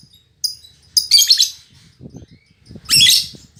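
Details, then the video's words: Fighter-type female lovebird in full voice, singing as boldly as a male; quick clusters of piercing, raspy chirps broken by short pauses, with a soft low rumble in the background. "Suara Burung Lovebird Betina Fighter"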